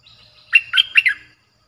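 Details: A single rich, chattering phrase of four quick, liquid notes from a Streak-eared bulbul. The harsh, bold song is used as a lure to attract wild birds.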